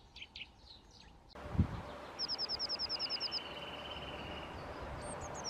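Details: Eurasian nuthatch delivering a fast, even run of about thirteen high piping notes, preceded by scattered chirps and a thud, with a faint sustained tone underneath.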